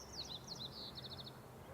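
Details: Song Sparrow singing in the morning at ch'atlich Marsh, British Columbia: a quick run of varied high, sweet notes, then a short dry trill, over a low outdoor rumble.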